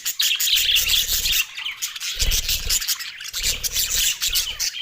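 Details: Green budgerigars sounding happy at mealtime, high chirpy chatter over repeated low rubbing or shuffling bursts about once a second.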